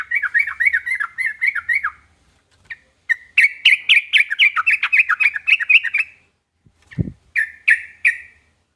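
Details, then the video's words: Sooty-headed bulbul giving a repeated, wavering chirrup, then a longer fast warbled phrase and a few loud single notes. A low thud sounds near the end. "burung trucukan manapun langsung nyaut dibuatnya"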